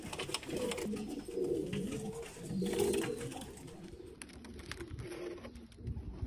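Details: Bulgarian Abasi pigeons cooing indoors, low hollow rolling coos rising and falling in bursts, with faint clatter and background noise from the room.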